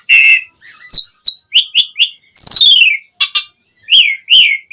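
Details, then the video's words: Varied song of an Asian pied starling meant to draw replies from other starlings: clear whistles, rising and falling slurs and a long, harsh, descending rasp, separated by short gaps. "Suara Jalak Suren Gacor Ocehan Ampuh Buat Pancingan Burung Jalak Agar Langsung Nyaut"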